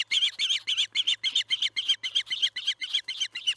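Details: Charlo osprey nest, evening feeding on July 9, 2019 at 6 pm MDT: fast, slightly uneven squeaky chirps, some doubled, around sixteen in three and a half seconds. A soft low hum lies in the background.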